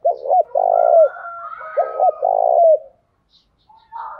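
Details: Spotted dove used as a morning decoy to rouse wild males, giving two quick phrases back to back: short double coo then a long rolling, down-curving coo, with faint thin whistles from other birds behind.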